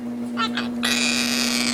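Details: Talking pet Quaker parrot, a mimic of words and barking dogs, produces two soft short syllables and then a sustained flat buzzy tone of nearly a second, over a persistent low hum indoors.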